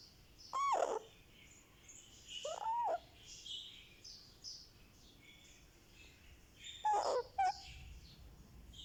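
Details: One-month-old Indian ringneck parakeet baby vocalizing under a head massage, giving three spaced raspy arched calls with a short tag note, backed by faint chirping birds.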